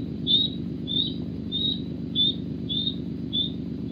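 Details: Osprey at the Loch Garten nest, Scotland, alarm screaming as a bird lands flapping with a fish: a series of high, thin, piercing cries repeated about every half second, over a steady low hum.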